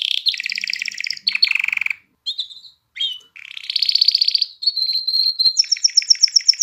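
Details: Canary song meant to stimulate females to mate and encourage young birds to sing: rapid trilled rolls shifting between pitches, with brief pauses and a whistled run near the end.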